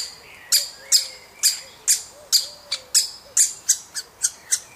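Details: Young woodpecker taking food: rapid, insistent high rasping chirps, about eleven in under five seconds, with soft low whistled notes from other birds underneath.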